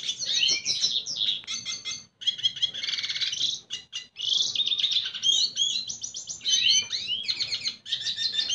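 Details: Seductive song of a red siskin toward a female: long sequences of quick high chirps, buzzy trills and swept whistles, interrupted by a few brief pauses.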